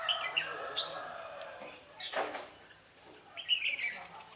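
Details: Fighting-spirited red-whiskered bulbul during trapping, 11 November 2016: sharp high chirps opening the clip, a rustling noise burst in the middle, and a bright whistled phrase near the end.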